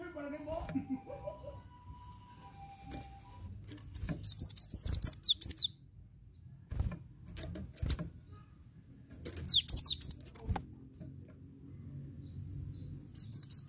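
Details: Lure recording of cinereous tit song meant to start a silent bird singing: three spaced phrases of rapid, high, downward-slurred whistles, each about five to seven notes, with scattered clicks and a low background hum between.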